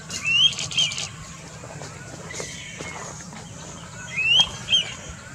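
Indian pitta giving a loud two-note whistle, a rising first note then a shorter second, repeated about four seconds later over steady background hiss.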